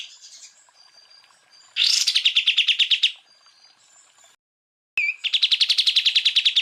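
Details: Greater green leafbird delivering full bursts for bird-training tutor use: soft high whistles, then a loud rising-onset rattle of rapid buzzy notes, a brief gap and a sharp click, and another fast rattle.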